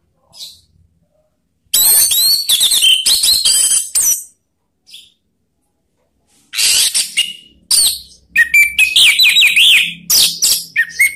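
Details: Orange-headed thrush lure call to make other birds sing along ('ngeplong'): dense, loud runs of shrill whistles and scratchy notes in two long bursts separated by quiet, with a few isolated faint notes between.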